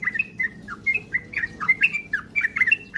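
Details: Sooty-headed bulbul, lure for rapid ropel singing: brisk sequence of clear whistled chirps, some held briefly, others slurred downward, closely spaced throughout, with faint low background noise.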